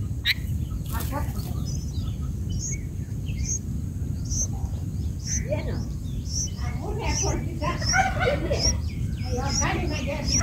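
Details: Black-headed bulbul chicks in a nest, being fed by a parent, give thin, high chirps over and over, growing busier and more insistent toward the end, over a steady low rumble of wind or handling noise.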